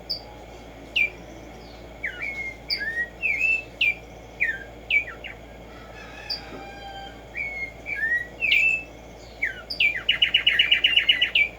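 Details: Black-striped sparrow, also called tico tico, singing outdoors: many short slurred whistles, some rising and some falling, spaced unevenly, closing with a quick accelerating string of repeated clipped notes.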